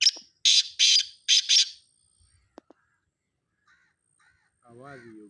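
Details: Partridge from Charsadda giving a series of four or five loud, grating, broadband bursts, followed by near silence, a few faint clicks and a low, wavering murmur at the end.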